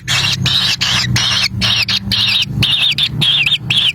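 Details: Kingfisher nestlings in the wild begging while an adult delivers a black lizard to the nest; a series of harsh, wavering squealing notes in bursts roughly every half second over a low hum.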